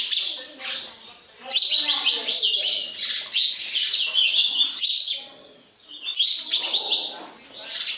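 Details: Sparrows at a house, heard as a dense flock chatter of high, harsh chirps in bursts, with quieter lower voices and a short lull before the chirping swells again.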